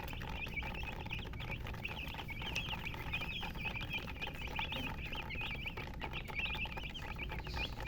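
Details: Flock of chickens with a hen, chirping continuously; bright, brief chirps pile up in an irregular chorus from several birds over a soft low background hum.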